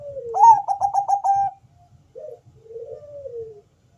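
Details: Bangkok zebra dove with a full, deep, melodious voice sings to lure other doves into song. A falling coo runs into a loud rapid trill of six pulses, followed by a short note and another long descending coo.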